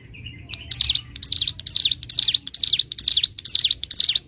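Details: Bar-winged prinia, locally cigun, recorded clearly for training caged birds: after a brief soft note, a fast run of high, wavering V-shaped phrases begins and repeats steadily, with a quiet low rumble underneath.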